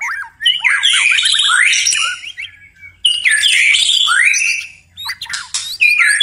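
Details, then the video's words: Loud white-rumped shama song at night in two long rich bursts of tangled whistles and harsh chatter, separated by a quieter gap, ending with sharp clicks and fresh whistles. "murai batu tetap gacor di malam hari"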